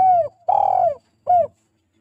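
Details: Spotted dove calling vigorously, used to lure doves: a mellow falling coo, a longer, fuller, slightly vibrating middle coo, then a short falling final note, in quiet surroundings.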